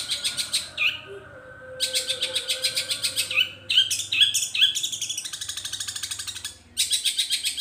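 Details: Long-tailed shrike singing a mimicry medley: several bursts of rapid chattering pulses, a series of short rising whistles in the middle, with low hum beneath.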